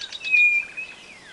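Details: White-bellied nothura song used as a lure for trapping: a sustained high, pure whistle that trails off into a faint, slowly falling whistle, with a few soft chirps before it.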